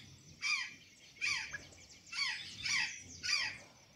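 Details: Five loud, harsh rasping calls from an azure jay feeding on banana and sweet potatoes at Santa Catarina, each with a falling lower tone, spaced about seven tenths of a second apart over quiet background.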